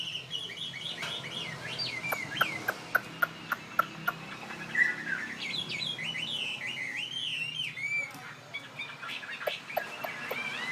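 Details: Tame fighting Chinese hwamei from northwest Vietnam, kept in Saigon, mixing rapid sharp clicks with bouncing, looping whistled phrases that swoop up and down, over a faint low background hum.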